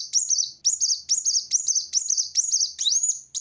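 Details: Steady, repeated high twittering phrases about twice a second, ending in a long rising whistle, from a Van Hasselt's sunbird singing vigorously to challenge a rival.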